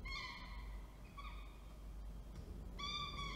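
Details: Falcon recorded 19 October 2024 in Orange, New South Wales, during a food delivery by the male with the female feeding. Two short harmonic whines, then a louder sustained wail near the end, against low-frequency background noise.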